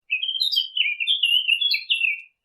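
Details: Birds chirping: a continuous high twittering warble of about two seconds, notes sliding up and down in quick, varied succession, with no other sounds.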